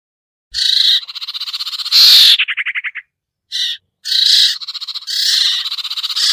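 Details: Luring call of the common iora (cipoh, sertu) for birds slow to descend: loud rasping bursts, one followed by a rapid stuttering trill, then more buzzy chatter.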